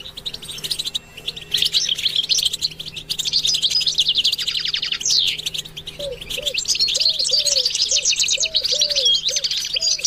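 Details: European goldfinch stimulation song: lively, high twittering and buzzy chirped phrases run continuously, while in the last few seconds a lower, arched note repeats about every half second underneath.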